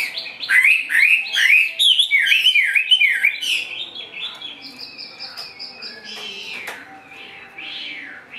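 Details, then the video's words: A caged, partly wild-caught Chinese hwamei sings a loud, rich run of quick, slurred whistles, about twice a second, then shifts to higher sustained notes and softer warbling. "HM 438 mộc dở ngũ trường hót là xòe"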